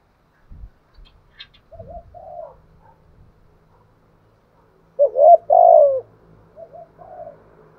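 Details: Spotted dove decoy bird cooing to lure wild doves: after faint thumps and soft notes, one loud two-part coo, a short rising note then a longer falling crooned note, comes near the middle, followed by a quieter echo.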